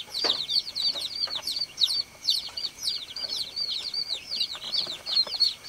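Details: A group of farm chicks calling the hen with rapid, high-pitched peeps running into one another, a continuous shrill chatter with a brief soft knock near the start.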